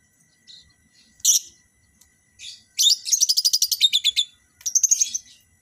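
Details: Lovebirds in captivity being matched as a breeding pair: a few sharp shrieks, then a rapid run of about a dozen evenly spaced shrill chirps over a second and a half, ending in a shorter burst of high twittering.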